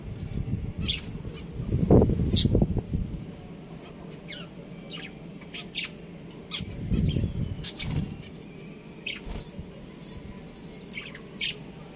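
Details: Breeding pair of budgerigars chirping: many brief, sharp, high-pitched notes come irregularly throughout, with bursts of low, rumbling background noise.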